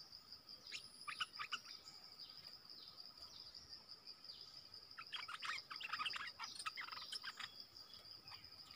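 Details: Wild streaked bulbuls in forest, a family group. The first half holds scattered faint notes, then a dense run of quick chattering chirps. A constant high-pitched insect buzz and a lower steady hum continue throughout.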